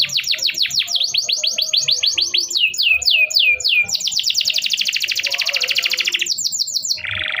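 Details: Canary 'gacor panjang' song for young canaries learning to sing: rapid high notes, several looping whistled slurs, a long dense buzzing trill, and a short lower blur of sound at the end.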